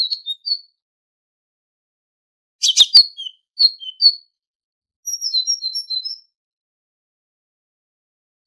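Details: Tit song used as a tutoring recording for goldfinches: short high whistled notes in scattered bursts, with a brief sharp clicking burst in the middle and silent gaps between phrases.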